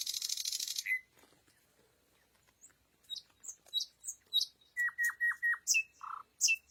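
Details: Nightingale singing at night: a dense buzzy rattle, then a pause, then sharp high whistled notes and a run of five quick descending piped notes, repeated phrases on a quiet background.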